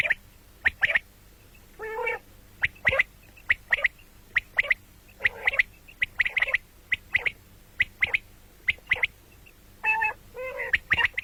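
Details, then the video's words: Common quail calling, said to be heard morning and night: rapid bright clicking pips, often doubled or tripled, with two longer nasal buzzy notes, over a faint steady hum. "бедана batair ki awaz quil sound beautiful morning and night بٹیروں کی سپیشل زبردست آواز صبح رات"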